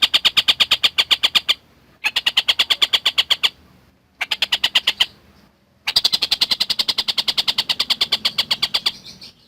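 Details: Collared kingfisher in steady chattering form, used as tutor sound for lovebirds: four bursts of rapid, harsh, evenly spaced kek notes, each lasting one to three seconds, separated by short silences.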